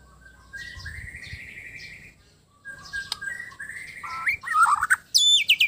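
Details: White-rumped shama from Sabah, Borneo, singing in a relaxed mood: a long steady whistle, then rising and falling slurred whistled phrases, closing with loud, very high squeaky notes.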